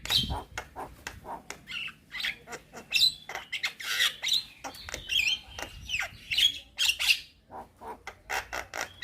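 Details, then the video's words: Energetic song of a young Javan myna, full of varied fill and said to draw answers from other mynas: sharp clicks and dry ticks interspersed with harsh chatter and high squeaky whistles, repeated in irregular bursts. "Kicauan Jalak Kebo Muda gacor Full Isian"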